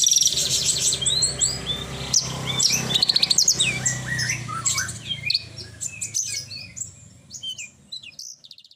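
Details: Horsfield's bush lark singing vigorously: a rapid jumble of high twittering notes, buzzy trills and short downslurred whistles that thin out and grow quieter toward the end, with a low background hum.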